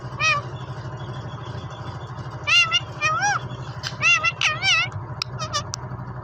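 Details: A green rose-ringed (ring-neck) parakeet speaks in Urdu/Hindi, repeating "mian mithoo" in a high, nasal, human-like voice in several bursts over a steady low engine drone.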